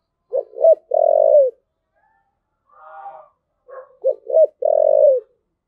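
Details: Spotted dove delivering the "thúc gù" coo twice: each phrase is two short rounded notes and a longer, burry, low-pitched coo. A faint buzzy murmur sits in the gap between the two phrases.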